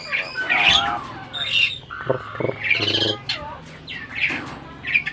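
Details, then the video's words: Breeding adult Asian pied starling that appears to hold a conversation, producing harsh rasping squawks mixed with whistled chirps and short buzzy bursts, loud and varied throughout. "burung jalak ini malah ngajak ngomong"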